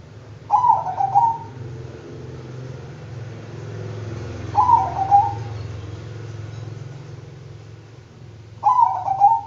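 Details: Bangkok-type zebra dove repeating its song about every four seconds, three phrases each made of rapid rolling coo notes closing on a drawn-out tail, over a steady low droning background.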